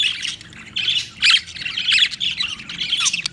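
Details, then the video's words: Budgerigar calling in a steady run of scratchy, squawky chirps, bursts of buzzy chatter with brief pauses between them, mostly high-pitched and fairly loud throughout. "Funny Budgie | Funny Budgies Sounds"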